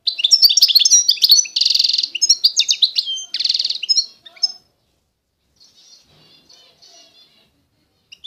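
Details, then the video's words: European goldfinch, eastern Algerian Constantine song: energetic twittering phrases with two dense buzzy rattles, ending around four and a half seconds, followed by soft, distant chirps and near silence. "تغريد الحسون القسنطيني الاصيل (حسون الشرق الجزائري)"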